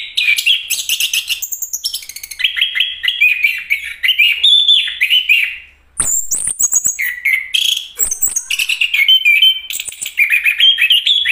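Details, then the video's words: A chestnut-capped thrush (Geokichla interpres), a champion singer, pours out a fast, varied song of high whistles, sharp chips and buzzy trills, almost without a break apart from one short pause. "anis kembang bang jago nyanyi"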